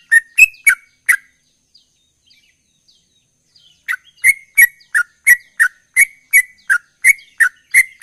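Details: Sooty-headed bulbul (trucukan ropel), singing eagerly: a few short clear whistled notes, a pause of nearly three seconds, then a steady run of similar notes roughly every third of a second.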